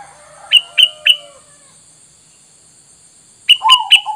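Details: Wild-bird lure of sooty-headed bulbul: three clear sharp chirps spaced evenly, a two-second pause, then three more chirps joined by lower buzzy chattering notes.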